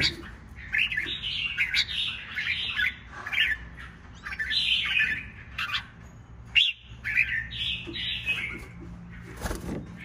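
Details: Red-whiskered bulbul kept in a cage for a week after capture from the wild, singing excitedly with crest spread: bursts of rich, slurred warbling notes in rapid phrases, a brief pause mid-way, and a low hum beneath.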